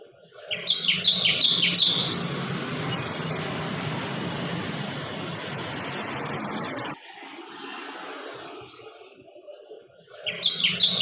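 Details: A tailorbird feeding its babies on 5 March 2022, between 11:10 and 11:14 am, gives sharp, high chirps in quick bursts at the start and again at the end, over a steady rushing noise like passing traffic.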